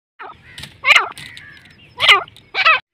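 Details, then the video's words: A pair of partridges, described as dakni and Irani teetar, giving three loud, harsh, chattering calls with stacked descending notes, the bursts spaced roughly a second apart, with a faint lower rustle between them. "dakni teetar Irani teetar pair"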